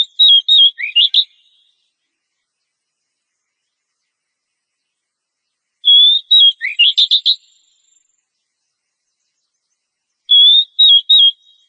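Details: A breeding-condition female oriental magpie-robin calls for a male. Three short bouts of quick whistled notes come several seconds apart, each holding five or six clipped, slightly wavering notes, some sliding up sharply.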